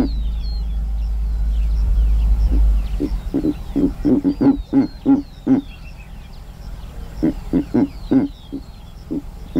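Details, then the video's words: Low rumbling background fades, then a giant eagle-owl in Kruger National Park utters a long run of short, deep grunting hoots in clustered bursts, with thin twittering of small birds faintly above. ""Sights And Sounds" Of The Giant Eagle Owl"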